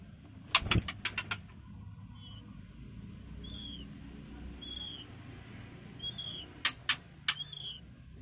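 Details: White-rumped shama chicks being fed by a parent at the nest give thin, high, down-slurred squeaks about every second or so. Sharp clicks and rustling bursts break in, with a low rumble underneath.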